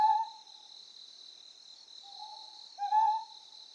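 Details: Ryukyu scops owl calling on Amami Oshima, Japan: a short hoarse hoot at the start, then a softer drawn-out note followed by a stronger hoot near the end. A steady high-pitched insect drone runs throughout.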